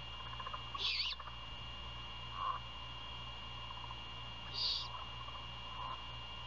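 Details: Great horned owls feeding at night outside their nest near Savannah, Georgia, 1:38 AM on 27 February 2022, as prey is handed over; two harsh, grating screeches near four seconds apart, plus a short lower squeak between them and a steady hum.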